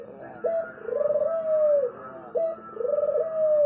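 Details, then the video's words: Cooing of a spotted dove: a sharp opening note, a rapid throbbing roll, and a long smooth coo that eases lower at the end. Two full phrases, about two seconds apart. "suara merdu burung tekukur"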